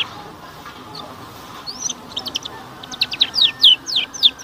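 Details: Canary sounds used to prompt young canaries to sing: after a quiet start, high, sharp downslurred chirps come in a quickening series, about three or four a second, growing louder toward the end.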